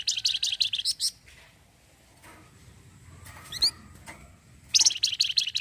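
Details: Orange-headed thrush (flamboyan) in full voice, giving the rapid 'cretetan' rattle said to provoke other birds into replying: a burst of high, rapidly repeated notes opens and closes the recording, with a thin upward whistle in between.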